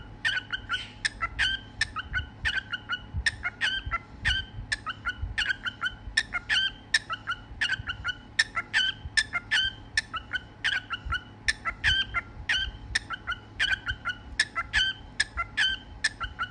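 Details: Pet cockatiel (Nymphicus hollandicus) performing its "cookie song": a fast run of bright, chirpy whistled notes, repeated in quick bursts.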